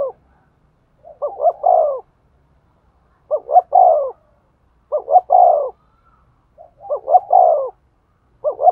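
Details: Spotted dove making stimulating coos toward a male: four evenly spaced phrases about every two seconds, each a stuttering rise of short notes ending in a longer falling coo, against near silence.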